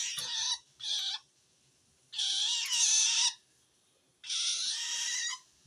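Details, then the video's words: A long-tailed shrike gives strange calls toward wild shrikes, signalling it feels threatened by another of its kind: two short grating bursts, then two longer hoarse screeches of about a second each. "suara aneh burung cendet"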